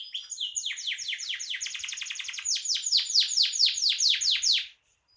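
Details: Canary singing constantly (gacor), used as master song for songbird training; rapid rolling trill accelerating into loud, evenly repeated downward-sweeping notes, stopping abruptly at the end.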